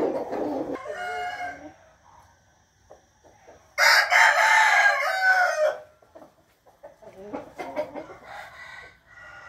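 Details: Morning cock-a-doodle-doo from roosters, 8 April 2021: a lower crow at the start, then a loud two-second crow with broad harmonics, and a more distant reply near the end among soft clucking.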